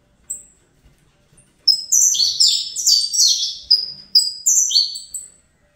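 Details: Saffron finch, a young captive-bred Fibra bird getting used to the noise: one high chip, then a sustained run of bright stepped downslurs and level whistles lasting about four seconds.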